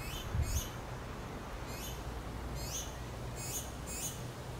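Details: Baby finches beg their mother for food while she feeds them. About six thin, very high, descending squeaks come in irregular bursts over a steady low rumble.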